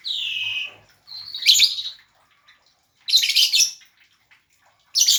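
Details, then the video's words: Lovebird gives a long whistled note, then sharp, piercing screeches at intervals of about two seconds. The background is otherwise silent. "burung lovebird"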